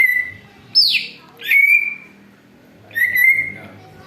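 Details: Greater green leafbird lure song, reportedly imitating an eagle: a drawn-out whistle, a bright falling screech, then two more sustained whistled notes, evenly spaced.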